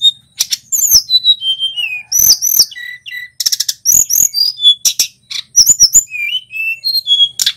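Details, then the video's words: Song of a male Tledekan Gunung, a local bird whose loud rolling and whistled singing is used to train caged songbirds. Crisp clicks and sharp chirps alternate with descending whistles and short level notes in a busy stream. "Suara Burung Tledekan Gunung GACOR"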